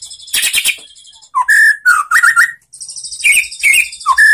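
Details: Relaxed song of a white-rumped shama, meant to prompt other shamas into answering: dense high chirping overlaps clear whistled notes that slur and rise, then short falling and rising whistles, with a brief pause midway.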